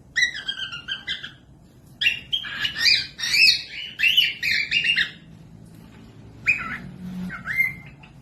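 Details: Cockatiel song aimed at training lazy or baby birds to sing: dense bursts of harmonic chirps and whistles for about five seconds, a short pause, then two separate rising whistled notes.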